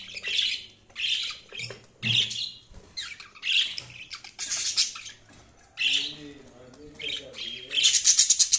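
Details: Feeding budgerigars give repeated sharp chirps and raspy squawks about once a second, ending in a fast buzzy trill.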